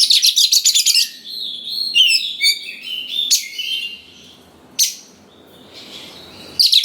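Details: Prolific Oriental magpie-robin giving a provoking song for young wild birds. A harsh buzzy rattle opens, followed by varied rising and falling whistles, sharp isolated clicks and a final rasping burst.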